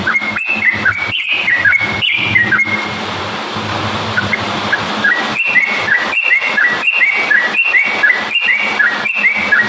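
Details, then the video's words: Yellow-vented bulbul singing vigorously, meant to provoke other bulbuls: repeated short whistled notes in quick series, partly drowned mid-way by a steady hiss and low hum of background noise. "kicau burung trucukan gacor cocok untuk pancingan trucukmu"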